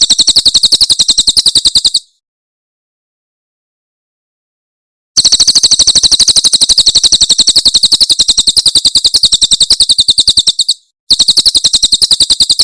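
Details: Javan prinia, called Tembakan Cililin, recorded as a tutor for cage birds: sustained rattling runs of quick, piercing high chips, cut by sudden pauses.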